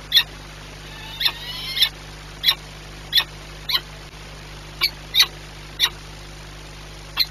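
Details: Peregrine falcon at Orlen Płock during feeding, 21 April 2021 at 9:57: short, sharp, harsh high calls repeated irregularly about every half second to second, one brief cluster of rising thin notes, steady low hum behind.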